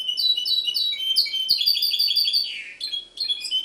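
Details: Goldfinch hybrid recorded in Ksar el Kebir delivering a lively, high-pitched warble of repeated twittering notes and trills, with a short descending buzzy slur and faint clicks in the background.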